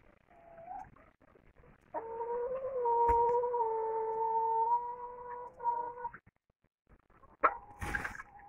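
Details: Laying hen in tiered henhouse cages, which are reluctant to lay, giving a brief note then a long, steady, slightly wavering drawn-out call of several seconds, with a few softer clucks and background noise.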